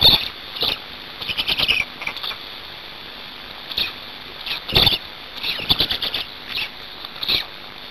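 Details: Feeding time at a Black stork nest in Hungary, 5 May 2019, 17:02; sharp, high-pitched squeaky chatters in short stuttering runs, irregularly spaced, with steady hiss underneath.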